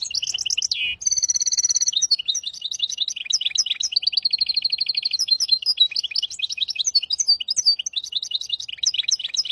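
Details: Hybrid finch singing a tutor song in hafada and widani styles, used to teach goldfinches and canaries: rapid high twittering with a buzzy descending note, then sustained rolling trills and bright chirped phrases, continuous and loud.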